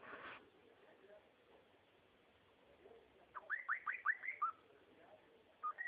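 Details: After a short harsh burst, a cockatiel gives a quick cluster of arched whistled notes, followed by a single drawn-out rising whistle.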